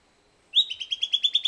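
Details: Silvered antbird (Sclateria naevia) song opening with a loud clear note, followed by quick, regular, slightly rising high chips repeated about eight times per second; quiet background.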